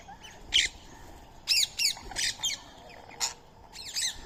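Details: Indian ringneck parrot fed soaked rice and corn, a squirrel sharing the meal; short, shrill, grating squawks come singly and in pairs at irregular intervals against a soft outdoor background.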